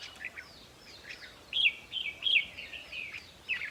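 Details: Red-whiskered bulbul singing, a recording meant to stir up caged birds during decoy trapping: soft opening notes, then clear, sliding whistled phrases about every half second over faint background hiss.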